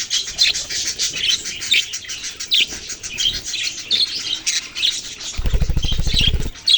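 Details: Baby budgies chirp constantly in high, rasping, overlapping notes; near the end a low, rapid fluttering burst lasts about a second, like wing flapping.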